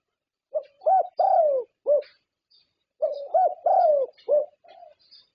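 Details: Prize-winning zebra dove from Thailand, its voice the standard for contest judges: two identical four-note cooing phrases about two seconds apart, each a short coo, an arched note, a long falling coo and a rounded ending note.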